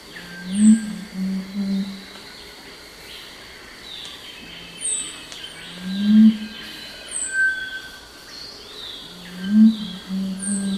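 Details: Crestless Curassow song, a low humming often given at night: deep droning hums come in pairs, repeated about every three to four seconds, while high thin whistles and chirps from other birds and insects continue in the background.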